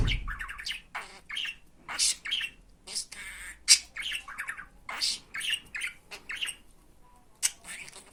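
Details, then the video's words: Pet budgerigar talking, reportedly saying Turkish phrases such as "Hani benim fıstığım", "benim aşkım" and "iyi günler", delivered as rapid raspy, squawky syllable bursts with chirpy harmonics, in short clustered phrases separated by brief pauses; no other clear sounds. "Muhabbet Kuşu Konuşturma Sesi"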